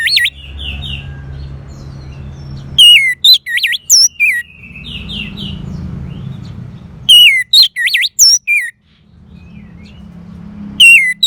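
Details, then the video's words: Caged Orange-headed thrush from northern Bali, Indonesia, its song played to coax a quiet bird into singing: bursts of loud, looping, wavering whistles separated by soft hissing gaps, with one short buzzy trill between bursts. "Terap1 Suara ANIS MERAH Macet Bunyi Agar Mau Kenceng Dengar Kicauan Ini. dijamin Pasti Nyaut."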